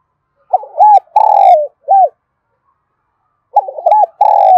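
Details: Spotted dove kept as a decoy in Đồng Nai, Vietnam, calling to lure wild birds: one full cooing phrase ending in a short arched coo, then after a pause a second phrase begins, with faint high clicks over both.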